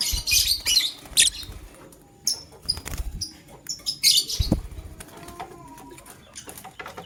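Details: Male lovebird choosing a partner: sharp, shrill high chirps in quick bursts, loudest early and near the middle, mixed with wing flutters and rustling, thumps and clicks from the cage.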